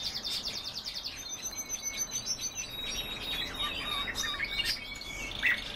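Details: Song of caged canaries kept as a household's own birds: a quick high trill opens, then gives way to varied chirps, whistles and short buzzy notes, with faint steady background noise.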